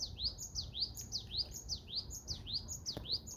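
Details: Great tit singing on a mountain summit at Wollong, Paju, on a warm day, possibly calling to find a mate: a lively, quick run of high, ringing two-note phrases, each sliding downward, about twice a second over a low background rumble.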